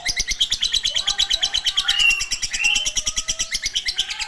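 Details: Lovebird long chatter: loud, shrill repeated chirps in a steady pulsing rhythm of roughly three per second, with some sliding squeaks partway through.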